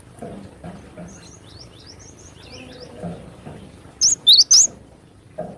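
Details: Cinereous tit in the wild: faint high twittering of distant birds first, then a sudden close phrase of three loud, sharp, slurred whistles in besetan style, closing with a soft rustle.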